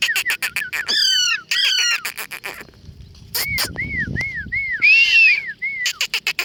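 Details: Parrots feeding among flowers: a series of sharp clicks and harsh chattering calls, then repeated arched whistled notes rising and falling, several birds calling at once.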